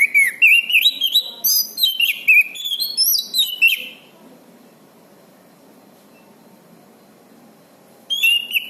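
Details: Orange-banded thrush in a vigorous bout of song, used to coach birds that have gone quiet; about four seconds of rapid, rising and falling whistled phrases, then silence before a brief restart.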